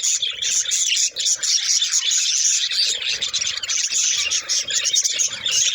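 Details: Budgerigars chattering, a dense steady stream of fast scratchy chirps and warbles held high, with a faint lower hum beneath and no pauses.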